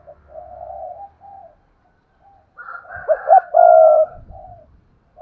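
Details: Lure spotted dove heard cooing: soft drawn-out coos, then a louder phrase of quick hoots and a long hoarse coo, with a faint higher note over it.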